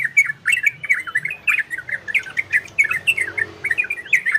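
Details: Orange-spotted bulbul delivering ropel and garudo style song to stimulate breeding condition in listeners: continuous lively chatter of short slurred chirps, evenly paced throughout.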